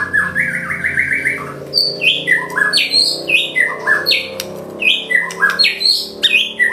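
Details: White-rumped shama singing loudly: it opens with a fast chattering trill of about ten notes, then gives a steady series of varied whistled and slurred phrases about every half second, with low hum underneath.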